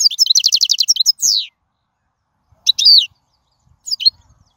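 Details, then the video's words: Wild European goldfinch in full song: a rapid run of high, tinkling twittered notes, then a buzzy drawn-out note and two short liquid flourishes separated by silent pauses. "من أقوى اغاني | طائر الحسون | البرية"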